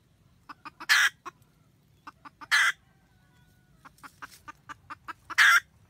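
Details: Red junglefowl hen calling the male while guarding her nest, recorded 2020-2021: quick short clucks lead into three loud rasping cackle notes, with more clucking between them.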